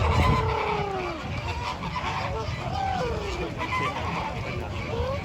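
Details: Flamingos calling in a group, with short nasal honks and drawn-out downward-sliding calls repeating several times a second, while a person speaks softly over the birds.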